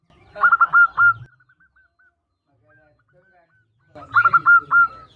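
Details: Female zebra dove calling the male: two bouts of soft rapid cooing notes with a rolling trill, separated by quiet.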